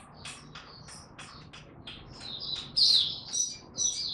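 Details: Oriental white-eye (mata puteh), 3 January 2022, being ramped up to form with 'tiong aw' singing: soft, scattered high chirps at first, then louder bright whistled phrases toward the end, over faint background hiss.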